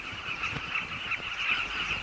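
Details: A dense chorus of tens of thousands of Southern Carmine Bee-eaters breeding in the Luangwa River sand banks, Zambia, dry season, midday heat near 48°C: many overlapping, rolling, throaty calls forming a steady mid-pitched chatter.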